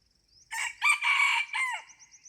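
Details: Red junglefowl crowing in the morning during decoy luring: a loud four-part crow lasting about one and a half seconds, with a short first note, a sharp second note, a long held third note and a falling final note, on a quiet background.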